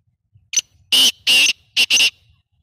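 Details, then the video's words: Black francolin: a short, harsh, grating call in about five broadband bursts, one brief note followed by two long rasps and a paired ending, with near silence around it. "voice Kala tetar"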